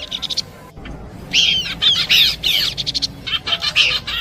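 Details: Horsfield's babbler song in a combination track meant for luring birds: bright chirps and rapid downward-curving whistled notes, in dense bursts with short gaps, over a low steady background hiss.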